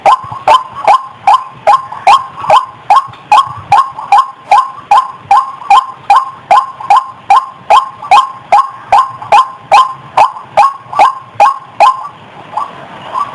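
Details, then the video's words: White-breasted waterhen lure call, clear and vigorous: around thirty hoarse, clipped croaks repeated evenly, then the series stops near the end, leaving a soft hiss and a few faint notes. "SUARA PIKAT BURUNG RUAK RUAK MASTER‼️JERNIH,Burung Wak Wak GACOR"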